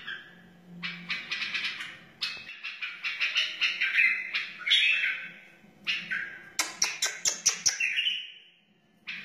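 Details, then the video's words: A wild white-eared bulbul sings, in song used to teach chicks and encourage other bulbuls: bright whistled and chattering phrases, some rising, broken by quick sharp clicks, with a faint low hum. "تغريد بلبل وحشي بدقة عالية اصلي لتعليم الفراخ و تحفيز البلابل"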